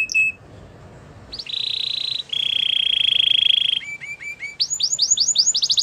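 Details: Canary song with a brief chirp, then long sustained rolling trills at two pitches, followed by short clipped notes and a quickening series of bright down-slurred whistles; faint low background hum.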